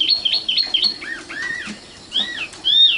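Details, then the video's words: Common nightingale phrase: four quick looping high notes, then two lower slurred whistles. After a short pause come two loud arched whistles, the last rich and drawn out. "kicau burung sikatan londo matal"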